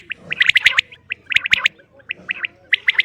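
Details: Female common quail calling: short bright notes in clusters of two to four, some clicking, with brief pauses between bursts.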